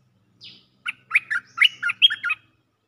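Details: Cream-vented bulbul giving a mating call to attract a mate: a brief high falling note, then a quick run of bubbly, chattering phrases, about seven short notes over one and a half seconds, against a silent background.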